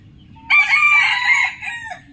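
A rooster gives one hoarse, ringing crow lasting about a second and a half, held steady before trailing off lower, over a faint low background hum.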